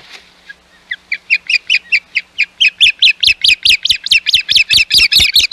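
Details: Osprey at the Hog Island nest, 11 May 2021, with intruders nearby: a rapid, accelerating string of about twenty sharp chirping whistles, starting soft and building to an intense, urgent chatter.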